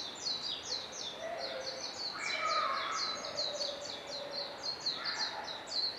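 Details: Japanese pied wagtail foraging for caterpillars on a mountain path lined with cherry and maple trees in northern Nara Prefecture, Japan. Rapid high, thin chirps run in quick bursts, with softer lower twittering notes between them.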